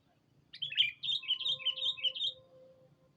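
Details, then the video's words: Sooty-headed bulbul lure calling a rival with a fast rolling series of about six liquid, up-and-down notes, while a faint steady tone and low hum run beneath. "Suara burung Pikat kutilang memanggil lawan"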